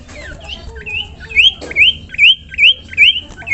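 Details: Common iora song from a masteran tutor recording for songbirds: after soft downslurred notes, a run of six bright, rising whistled notes, each hooked upward and repeated about every 0.4 seconds.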